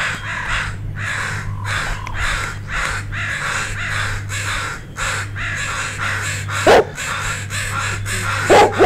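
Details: Crow parents and a gathered flock scolding a dog near two fledglings; rapid harsh caws, many overlapping, run continuously for nine seconds, with a few sharp close knocks near the end and low rumble beneath.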